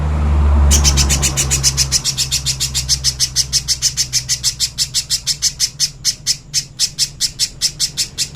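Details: Little spiderhunter, clear master song for training: after a moment of low hum, a long rapid train of sharp, high, identical chips, about three per second, steady and insistent to the end.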